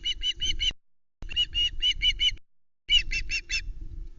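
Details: ['Juvenile female Osprey on the Loch Arkaig nest, 1 September 2020, squawking over a huge whole trout brought by her father. Bursts of four or five sharp, harmonic squawks separated by short pauses, with a low background hum.']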